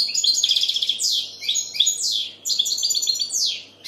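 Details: A European goldfinch sings a quick run of sparkling twittered notes with downward-sweeping slurs, in two bursts separated by a short gap.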